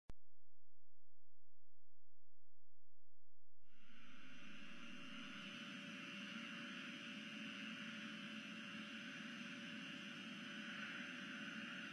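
Near-silence at first, then only a steady hiss and electrical hum from a Southwest Florida eagle nest camera, with no animal calls.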